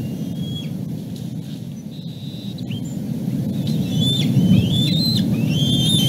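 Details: Bald eagle eaglet calling from below its nest after going over the edge after a dropped fish; a few scattered high whistles early, then a quickening run of thin, upslurred piping cries over a constant low roaring background.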